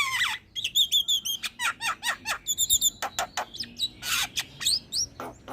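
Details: Javan myna in full song, recorded as master material to prompt other birds, pouring out rapid whistled rising and falling phrases mixed with short clipped notes and rough noisy bursts.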